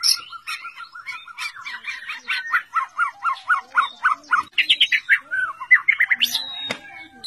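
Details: White-rumped shama (murai batu) delivering a series of repeated downslurred whistled notes, about three per second, then shifting into higher varied phrases and sharp chips.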